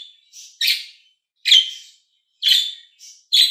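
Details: Green and blue budgies trading calls: loud buzzy chirps alternating with quieter shorter notes in quick succession, about one strong chirp a second.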